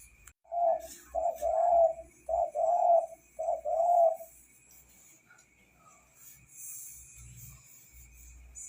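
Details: A vigorously singing spotted dove gives a run of low, breathy coos in quick paired phrases over about four seconds. Near-silence follows, with faint rustling.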